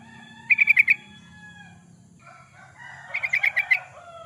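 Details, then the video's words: Yellow-vented bulbul singing in a lively, chatty gacor style, recorded for use as a lure and as a master recording for training birds: two quick bubbly bursts of rapid, rolling notes, with faint steady tones from other birds and a low hum beneath. "Suara burung trucukan, pancingan burung trucukan suara gacor"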